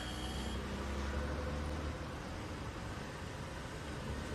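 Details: A steady vehicle engine rumble with low hum and broadband noise, and no animal sounds.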